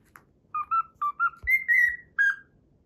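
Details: Cockatiel whistling a tune learned from the Pythagora Switch opening theme: six pure whistled notes, short and level at first, then longer sliding notes ending on a falling tone.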